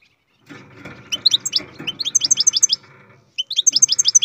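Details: A captive-bred European goldfinch gives a rapid, rhythmic series of high tinkling notes, about four or five a second. A brief break follows, then a second quick twittering run, over steady low background hum.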